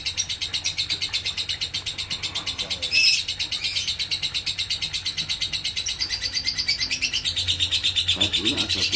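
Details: Continuous ngekek konslet from a lovebird, fast high rattling pulses carrying on throughout, broken by a sudden louder squeak around three seconds and faint low sounds later.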